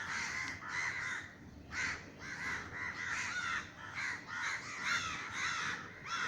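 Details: A crowd of crows in Sri Lanka takes to the sky above a garden after a crow-scaring gunshot, producing loud, dense, overlapping harsh caws in quick rhythmic bursts.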